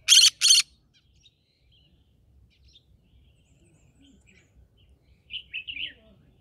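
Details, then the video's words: Green-cheeked conure from a rice field home opens with two harsh back-to-back squawks, falls quiet for several seconds, then gives a quick series of three or four soft, bubbly chirps. "Green cheek conure singing"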